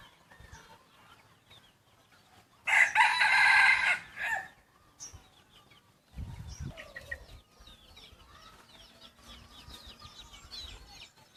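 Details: Young yellow-line decoy rooster, a chicken crossbred with wild junglefowl, gives one loud, harsh, buzzy crow lasting about one and a half seconds. Quiet chirping of small birds comes before and after it.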